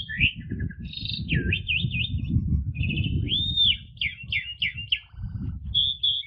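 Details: Asian pied starling therapy song in 'ngentrok' style for training household magpie robins: lively whistled phrases with zigzag wavy notes, a smooth arched whistle and quick repeated chips, set against continuous low rumbling noise.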